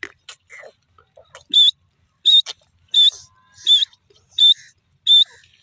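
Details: Six strong, shrill whistled notes from a grey francolin at an even pace of about one every 0.7 seconds, after a few quieter chirps at the start.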